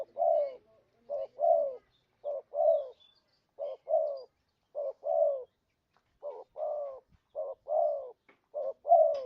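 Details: Spotted dove lure sound for catching birds: a long run of paired low coos, each a short note and a falling drawn-out croon, delivered evenly about once a second.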